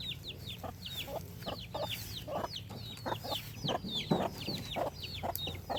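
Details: Chickens calling on a farm: overlapping high downward peeps keep going while low, rough clucks come at irregular intervals, over a low background hum.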